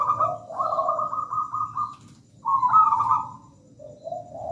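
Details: Local zebra dove in energetic song: a staccato run of rapid pulsed high notes over low coos, then a louder quavering trill, ending with soft low cooing.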